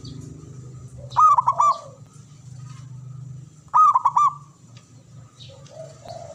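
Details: Male local zebra dove from Java calling: two clear phrases, each a quick run of four or five hooked, mellow cooing notes, spaced about two and a half seconds apart over a steady low background hum.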